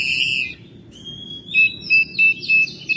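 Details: Oriental magpie-robin kept at home, singing in May. A loud steady whistle, a softer level note, then a series of bright, sustained whistles, each lasting about a quarter second, repeated at short intervals.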